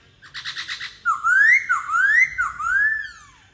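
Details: White-browed laughingthrush singing: a quick burst of harsh rattling notes, then three loud, rich whistled phrases that dip and rise in upslurred arcs, in a quiet room.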